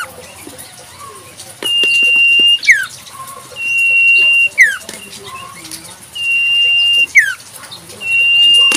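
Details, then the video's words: A wild Common Iora repeats a long, level whistle ending in a sharp downward swoop, about every two and a half seconds, with faint chirps and clicks behind, recorded in nature. "Burung Sirtu cipoh full suara asli Alam"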